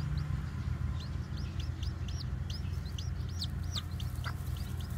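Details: White bantam chicks with black tails, newly hatched, wander about calling in sharp, high, down-curving peeps, repeated rapidly and unevenly, over a loud low-frequency rumble.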